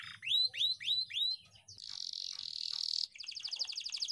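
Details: Canary singing a ngeroll-style song for training other canaries: four loud rising swept whistles, a flat buzzy high trill, then a rapid rolling string of quick repeated notes.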